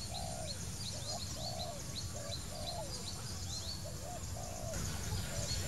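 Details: Low, throaty coos from a wild Spotted Dove, brief burry notes repeated in quick irregular succession, while other birds keep up high, rising chirps above and a constant low hum fills the background.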